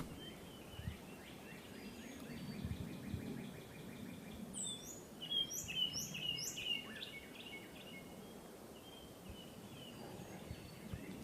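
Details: Several birds sing at once at a wildlife viewing area among dwarf palmettos in Palmetto State Park, Gonzales, Texas, in fine weather: rapid high chirping trills, then clear whistled notes and sharp high chips, over steady outdoor noise.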